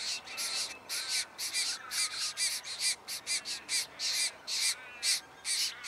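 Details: A Diamond firetail in Victoria, Australia, in November 2014 gives harsh, nasal, high-pitched notes in an uneven run of about two per second, with only faint background hiss.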